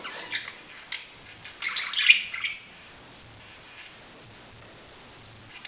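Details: Budgerigar chattering in short chirps for the first two and a half seconds, building to a brief scratchy cluster, then near silence with only faint rustling.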